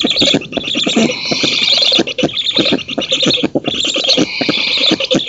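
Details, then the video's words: Black stork nest in an oak, Poland, 19 June 2017, nest camera recording during the female's feeding and the driving away of an intruder: continuous coarse hissing with quick irregular rasping pulses, briefly dropping out twice. "Bociany czarne z Polski (dąb) 2017 06 19 Karmienie (samica), odstraszanie intruza"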